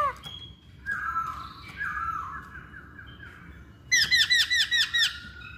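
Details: Masked laughingthrush song played as a lure to get other birds to sing: soft slurred whistles near the start, then a loud burst of rapidly repeated arched, ringing notes, about eight in quick succession.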